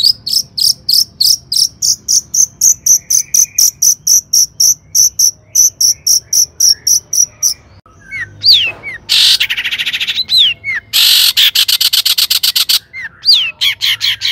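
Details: Long-tailed shrike lure song meant to excite other shrikes into singing: a long run of rapid, evenly spaced high chips, then upward-slurred whistles and dense buzzy trills.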